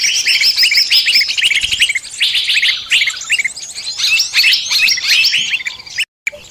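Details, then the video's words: Many-bird lure recording for catching birds of all kinds: dense, high twittering and fast repeated chirps overlap continuously, then cut off abruptly for a moment near the end before resuming. "Pikat burung semua jenis terampuhhh"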